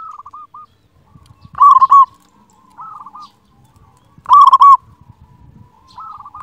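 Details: Local zebra dove with a big voice singing a master song to wake quiet birds: two loud bursts of rapid coos, with fainter cooing phrases before and between, and low rumbling noise underneath.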